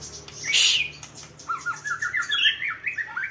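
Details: A harsh burst of squawk opens, then a sunbathing songbird delivers a rapid run of warbled, wavering chirps and twitters.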